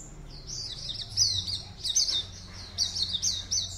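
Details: Oriental white-eye singing for an online contest as entry 52, a caged bird from Pontianak, West Kalimantan. A softer, high, sibilant twittering runs steadily, with brighter chirps near the middle and end over low background hum.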